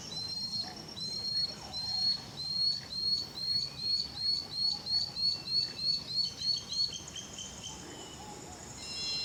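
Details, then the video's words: Lanceolated monklet singing in its natural habitat, humid tropical forest in Costa Rica: a run of about fifteen thin, high, upslurred whistles, roughly three per second, swelling then fading, over soft forest background. "Macuru-papa-mosca cantando na natureza"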